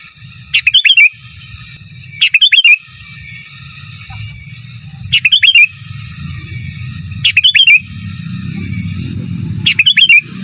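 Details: Sooty-headed bulbul singing a lively master song: brief bursts of chirpy, wavering whistled notes repeated five times at intervals of roughly two seconds over a low rumbling background.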